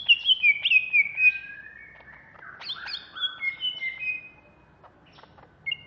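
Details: Agitated caged greater green leafbird of Alas Purwo stock, kept in Jatiasih, Bekasi, singing a varied run of sharp downslurred whistles, then sliding notes and sustained level tones with brief pauses.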